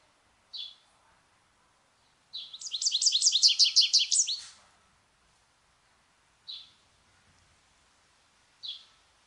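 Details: American goldfinch singing: a rapid two-second burst of bright, high twittering notes, preceded and followed by single short high chirps spaced about two seconds apart, in a quiet background.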